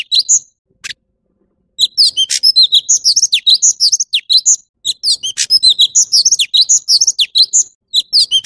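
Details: An orange-bellied leafbird pours out fast, varied high chirps, squeaky slurs and sharp ticks in long continuous runs after a couple of isolated notes at the beginning.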